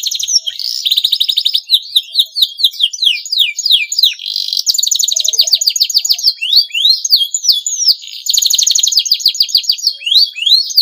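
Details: Breeding-condition male canary, used to provoke other canaries to sing, delivers a dense, continuous high-pitched song of fast chirps, rapid repeated trills and sweeping whistled notes over about ten seconds.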